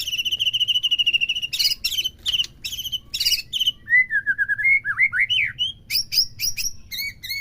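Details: Shama song meant to provoke a captive white-rumped shama into full song: a long harmonic note, sharp repeated chips, then wavering whistled phrases and quick upslurred notes, with a low background hum.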